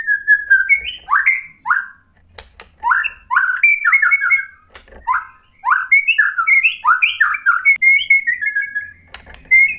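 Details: Varied whistled song of a white-rumped shama, meant to stimulate another bird to respond: clear swooping notes in short phrases separated by pauses, with occasional sharp clicks.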